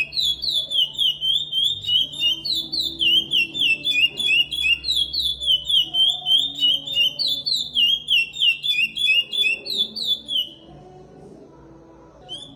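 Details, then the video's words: Chestnut-bellied seed finch (curió) singing the Paracambi song style, a repeater bird, giving bright whistled phrases with rising and falling slurs, delivered in steady rapid succession for about ten seconds over faint low hum. "Curió Canto Paracambi Repetidor"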